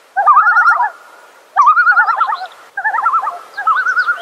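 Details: Three rapid, wavering tremolo bursts from a wild common loon, each a quick laughing quaver held about a second, with faint higher twitters in the background.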